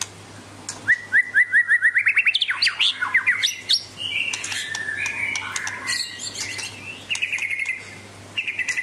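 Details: A Medan-type White-rumped Shama in full song gives a quick run of about a dozen clipped rising notes, then rich varied whistles, chatters and trills, with a faint steady hum beneath.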